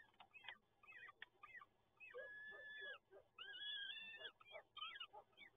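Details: Hungry peregrine falcon chicks at the PGE Toruń nest, Poland, 30 April 2022, during a feeding. Choppy short squeals lead into two sustained harsh wails, then more clipped cries over a steady low hum.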